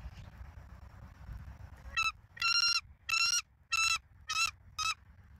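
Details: Bald eagles at a nest in Southwest Florida, recorded by a live camera on 17 November 2024 at 19:48, giving a series of six shrill, piping notes, each about a third of a second, spaced roughly half a second apart.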